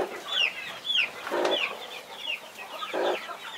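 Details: Mother hen guarding her 21 baby chicks: clear, individual high peeps sweeping downward about twice a second, with two short lower humming bursts between them.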